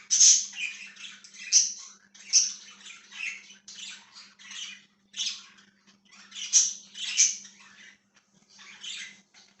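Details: Budgerigar chirping, dated 1/6/2023: loud harsh warbling phrases come in clusters with short silent gaps between them, plus a faint continuous hum.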